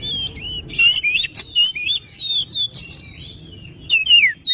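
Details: Oriental magpie-robin in lively song: quick high whistles, rising and falling slurs and harsh chattering notes in fast, varied succession, with a short lull before a final sweeping phrase.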